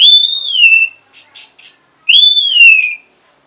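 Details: Orange-headed thrush answering a lure sound with a loud falling whistled phrase, a short burst of harsh buzzy high notes, then another down-slurred whistle. The setting is quiet.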